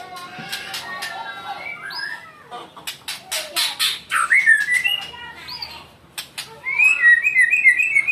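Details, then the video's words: An angry white-rumped shama delivers bursts of rich whistles, rising and falling slurs, and rapid chattering notes. The sound is punctuated by sharp clicking taps, and the song ends in a fast warbling run. "marah dia gaesss"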